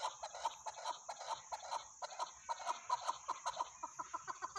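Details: Chukar partridge calling in a rapid series of short, low clucking notes that come in bursts of several per second with brief pauses, over a steady high-pitched whine in the background.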